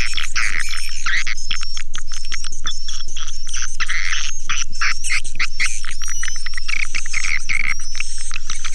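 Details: Swiftlets in a lure recording: tightly packed buzzy chirps and short rising notes at high pitch, riding on a steady low thumping beat about four times per second.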